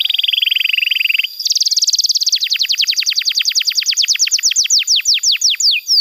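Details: Canary song for teaching young canaries to sing: a low buzzy trill, then a higher fast trill of downward chips that slows into spaced, clear descending whistles.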